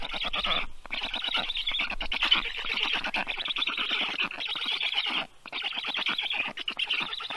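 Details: Thirty-day-old rescued black stork chicks at the Estonian University of Life Sciences clinic in Tartu, fed on a June afternoon; continuous scratchy, wheezy begging with quick pulsed rhythm and two brief pauses.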